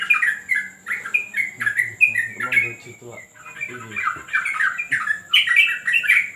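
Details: On a terrace during a training session, a yellow-vented bulbul delivers jerky, chortling note groups, with a man's low speech briefly showing through a lull.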